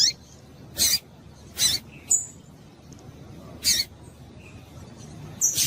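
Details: Female double-collared seedeater calls, used to stir males kept for singing tournaments: short, high, sharp chirps and clicks, given singly or in pairs at uneven intervals over a quiet background.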